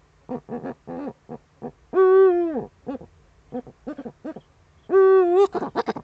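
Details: Eurasian eagle-owls at a webcam nest in the Eifel on 23 February 2015 at 19:00, the male bringing a prey gift to the female: short harmonic hoots and two longer drawn-out wailing notes among quick clipped calls.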